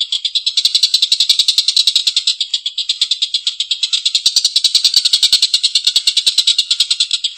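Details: A collared kingfisher's long rough laughing chatter, a relentless train of scratchy, buzzy notes about three per second, holding steady throughout.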